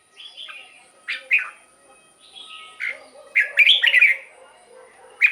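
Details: Red-whiskered bulbul singing, a recording used to rouse caged birds: softer, spaced whistled notes and slurs, then a louder tumbling phrase of several rich chirps near the end.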